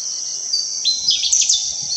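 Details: Pale-footed Bush Warbler singing from a perch on a sal tree in sal forest with undergrowth: a brief, high, thin burst of sharp notes lasting under a second, over a steady high insect hiss.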